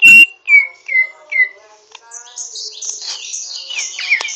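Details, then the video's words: Greater green leafbird practising its song with rough twittering, opening with four clear whistled notes, each sliding downward about half a second apart, then breaking into fast scratchy chatter and buzzy notes. "Burung cucak ijo ngriwik kasar belajar gacor"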